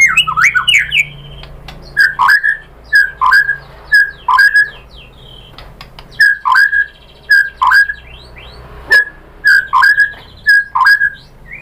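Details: White-rumped shama lure recording meant to goad a rival into singing: a burst of tumbling whistles, then sharp emphatic notes repeated roughly every half to one second over a faint low hum.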